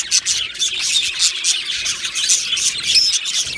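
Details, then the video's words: Aviary flock of Australian budgies, recorded 15 July 2025, pouring out rapid high chirps and pulsing, squeaky warbles in overlapping bursts, with a few thin whistled notes above. "Beautiful Budgies Birds Chirping Sounds"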